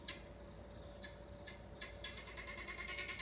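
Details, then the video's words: Backyard guinea fowls settling in for the night before sleep: a few spaced, harsh rasping notes, then a quickening, louder run of scratchy calls building toward the end. "Guinea fowls Sound Before Sleep"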